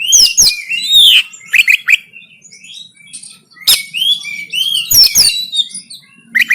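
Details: Oriental magpie-robin giving a 'konslet tarung' fighting song, recorded on an Android phone in Banten: loud, varied whistled phrases with sweeping, slurred notes and sharp clicks in bursts separated by short pauses.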